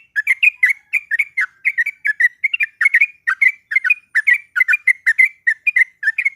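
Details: Female yellow-vented bulbul in breeding condition calling a male, used to provoke a rival. Rapid bubbly, slurred chattering notes come in quick clusters almost without pause across six seconds against a clean, quiet background.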